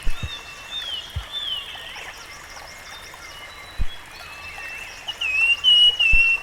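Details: In the wild, a rusty-fronted barwing sings drawn-out whistles that slide and waver, then a second bright, level whistled phrase near the end; steady stream noise and a few sharp low thumps accompany it.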